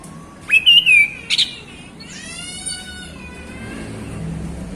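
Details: Afternoon 'ngeplong' song of a male orange-headed thrush: a quick burst of loud, rich whistled notes, then a pause and a fainter drawn-out harmonic whistle fading away, with soft low background hum.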